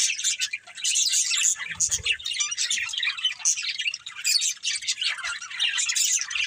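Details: Several pet budgerigars kept as a family chirp continuously in a dense chorus of quick scratchy, warbling notes with short squawks, sounding busy and overlapping throughout.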